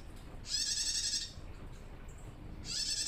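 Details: Novice female bar-winged prinia calling males with a harsh, high, buzzing ngelcir note lasting about three quarters of a second, followed two seconds later by the start of another identical buzz, over soft background hiss.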